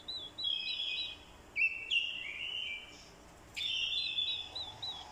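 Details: Orange-headed thrush fighting song from a lure bird, accompanied by a female's call to excite a male; three bright whistled phrases with buzzy, slurred endings, separated by brief gaps.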